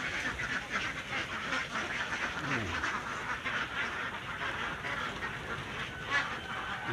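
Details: Flock of farmed ducks that nest together to lay eggs, keeping up a steady, overlapping chorus of nasal quacks and chatter, with a constant rustling hum underneath.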